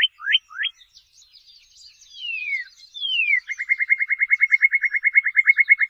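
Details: Northern cardinal: two or three sharp upslurred notes, two long descending whistles, then a rapid, even trill of many short notes. Faint twittering from other birds is heard behind it.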